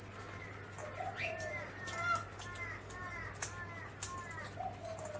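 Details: Long-billed corellas (Cacatua tenuirostris) on the Sunshine Coast, Queensland, in July give nasal, quavering, arched calls in a quick series, about two each second, with a few sharp clicks and knocks in the background.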